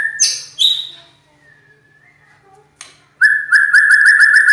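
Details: White-rumped shama (murai batu), called a loud champion with a rough voice, gives two sharp high notes and a soft drawn whistle, then bursts into a steady rapid rattling trill.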